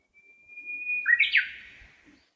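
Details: Songbird singing clearly in a park in Hondo, Amakusa City, Kumamoto Prefecture, Japan, on a hot early-summer day: one drawn-out pure whistle followed by a quick, loud, descending warble, with a quiet background.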